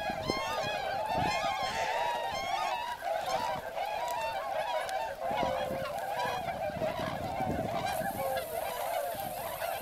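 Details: Swans massed at their wintering site in Motono, Chiba, Japan, alongside numerous northern pintails; a continuous din of loud, harmonic honks from countless birds, some rising and falling, with a hiss entering near the end.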